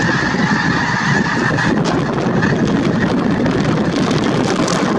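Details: A big winter flock of snow geese at Merced National Wildlife Refuge, 22 January 2023: a continuous din of overlapping honks that is thick in the first half and loosens slightly later, with a low rumble underneath.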